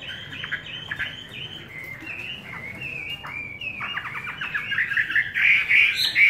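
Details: Chinese hwamei with a wild forest-style voice, fed homemade bran, singing a run of quick varied whistled phrases that builds toward the end into louder, denser, buzzier notes.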